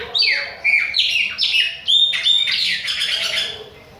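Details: Chopi blackbird, Bahian form, pouring out a rapid string of bright whistled notes, flat tones alternating with falling slurs, closing in a dense buzzy trill.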